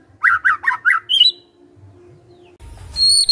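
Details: Magpie-robin singing a quick burst of four chattering, buzzy notes and a brief high whistle, followed by near silence and a sharp high whistle at the end.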